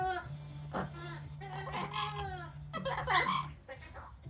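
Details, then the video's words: A pet Yellow-naped amazon outside in the sun, extra noisy while drying off after a shower, chatters in rich voice-like phrases like mimicked speech and singing, over a steady low mechanical hum. "Parrot singing talking and making noise outside after shower"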